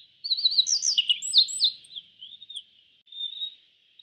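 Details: Yellow bunting singing: a quick run of high, bright chirps and slurred notes, some sweeping down, followed by softer trailing twitters over a steady high hiss.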